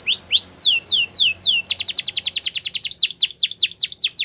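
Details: Belgian canary singing as a training model for young canaries, beginning with slow falling whistles about every quarter second, then switching to a faster run of sharp descending notes.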